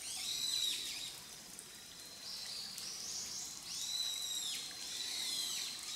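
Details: Grey wagtail in a recording from July to December 2023: clusters of high, piercing, down-slurred whistles, repeated in groups, over a continuous hissing wash.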